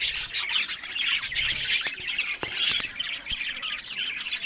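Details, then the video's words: Busy budgerigar flock chatter from pet breeding birds in Larkana, Sindh: harsh, fast chirps and squawks overlapping densely, punctuated by several sharp clicks or taps. "Buddies Parrot Voice"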